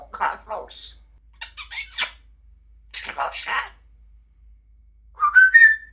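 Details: A pet female grey parrot imitates human speech in short word-like bursts, then ends with a loud rising whistle, recorded indoors; she performs silly noises to make people laugh.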